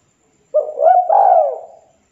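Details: Spotted dove of local stock, lively and calling a rival so other doves reply: one cooing phrase with a brief opening note, a smooth swelling middle coo and a drawn-out descending ending, no other sounds.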